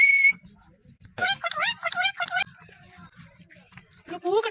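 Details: Whistle from a talking ringneck parrot, then a rapid series of buzzy, rising speech-like syllables in its greeting, a quiet stretch of low ticking and a last harsh phrase.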